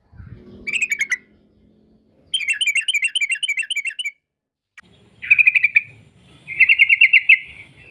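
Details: Sooty-headed bulbul 'ropel' song for luring other bulbuls to sing: a short note, a long run of rapid chattering notes, then two tighter buzzy trills near the end, with pauses between.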